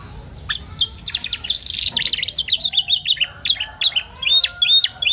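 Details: Canary song used as a pancingan to get canaries singing, packed with isian: a busy, varied twitter of high chirps and short slurs that ends in a few clear whistled notes.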